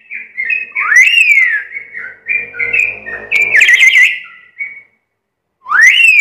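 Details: Talkative black-capped lory in a busier passage of varied whistles: rising and falling slurred notes, short level tones and a burst of rough chatter, then a pause before another upswept whistle.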